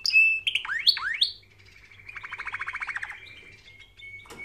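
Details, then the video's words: Canary song used for training canaries: bright whistled notes and quick upward-sweeping slurs, then a fast rattling trill of repeated buzzy notes, ending on a thin sustained whistle. "Canary Singing Video | The Best Canary Training sound"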